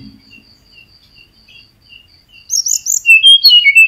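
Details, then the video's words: Male caged flycatcher singing as a lure for silent birds: soft high notes repeated steadily for two seconds, then a loud rush of sharp, high whistled and twittering phrases sliding downward. "Tledekan Gunung Gacor Ampuh Buat Pancingan Tledekan Macet"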